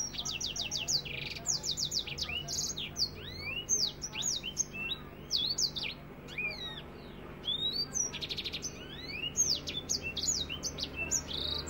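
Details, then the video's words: Energetic African finch song in the tight "nembak rapet" style, used for tutoring other birds: rapid bursts of sharp high chirps, buzzy trills and rising and falling whistled slurs, almost without pause. "Masteran African finch nembak rapet"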